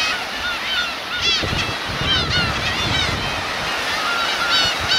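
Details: Teuri Island, Hokkaido, Japan, Kurosaki coast, 13 June 2021: Black-tailed gull adults with chicks. Dense, repeated cat-like mewing calls from many birds, bright and arching, above a low wash of surf.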